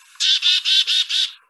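A Black-capped Chickadee gives five harsh, buzzy 'dee' notes in a quick, even series, with no 'chicka' notes, as an alarm at a predator.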